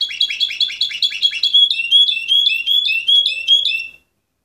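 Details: An Orpheus canary, 2014 bird number 24, delivers a loud, rapid rolling trill of rising notes, about six per second, shifting slightly lower midway before stopping abruptly.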